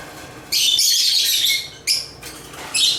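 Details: African lovebirds chirping: after a quiet half second, a burst of high squeaky notes, then two shorter shrill bursts.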